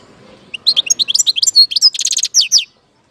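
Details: European goldfinch in Algeria, 2019, delivering a clear, rapid string of liquid chirps and twitters with a short buzzy trill in the middle, lasting about two seconds.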